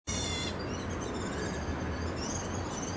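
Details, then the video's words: A black bulbul in Taichung, Taiwan, on 25 August 2013 gives one harsh, nasal mewing note lasting about half a second, followed by faint high thin whistles over steady low rumbling background noise. "Sound of Black Bulbul"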